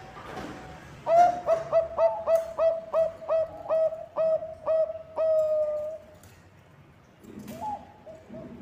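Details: Bangkok-type zebra dove singing actively, song used as a lure to get other birds singing: about a dozen rapid mellow coos on one steady pitch, closing in a drawn-out note, with a fainter dove answering afterwards.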